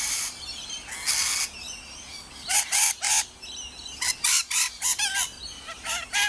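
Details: Rainbow lorikeets at Riverglade Reserve, New South Wales, give harsh, raspy screeches in short broadband bursts. The bursts come in quick, irregular runs, some overlapping, with a quieter hiss between them.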